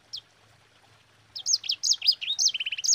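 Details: A single faint chip, then a second of near silence before a sanger bursts into rapid, shrill song: looping high whistles ending in a quick, stuttering trill. Meant as a lure recording to spur other birds into singing.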